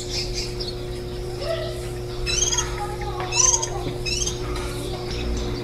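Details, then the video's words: Nesting warbling white-eye on 23 July 2018, a day before its brood left the nest after ten days of feeding: irregular bursts of sharp, high chirps with ringing overtones, about one per second, over a steady hum. "2018 綠繡眼-青笛仔 育雛 錄音"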